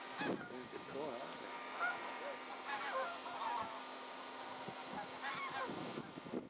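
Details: Wintering flock of greater white-fronted geese at Ingbirchworth Reservoir, South Yorkshire, in January 2017, giving overlapping yelping, laughing honks at varying pitches against a steady background hum.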